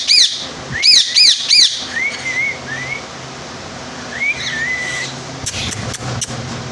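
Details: Pet rose-ringed parakeet, a talking parrot: four quick high arched whistles, then softer rising-and-falling whistled notes over a steady background hum, ending with a few clicks.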